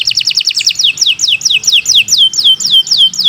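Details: Canary of the Kenari Nusantara type singing a long, busy song used for tutoring other birds: fast repeated high notes, then a steady series of downward-sweeping whistled slurs, about four per second.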